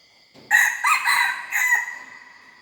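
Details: A young red junglefowl hybrid learning to crow gives one strained, hoarse crow in four joined bursts, the final burst dropping away, with constant faint high-pitched background tones.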